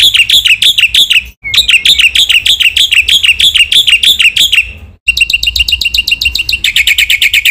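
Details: Black-winged myna training song, loud and varied, meant to stir other mynas: bursts of bright, bouncing chirps separated by brief pauses, shifting into faster, tightly packed clipped notes.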